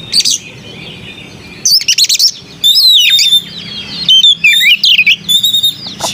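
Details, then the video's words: Oriental magpie-robin (kacer) with a melodious voice, delivering loud, varied phrases: harsh buzzy chatter bursts alternating with clear, sliding whistled notes that rise and fall, fairly continuous through the second half, faint low hum behind. "Burung kacer bersuara merdu"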